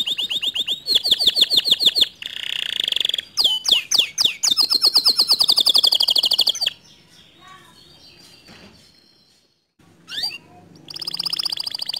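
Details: Singing canary recorded to spur a reluctant canary into song. Rapid trills and tours alternate with sharp, rising swoops. There is a pause of several quiet seconds, then a single chirp and a resumed bright trill.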